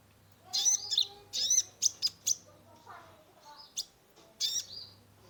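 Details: Energetic sunbird (kolibri ninja) singing to stimulate a stressed caged bird: clusters of high, buzzy chirps and brief trills in irregular phrases, a faint low hum behind.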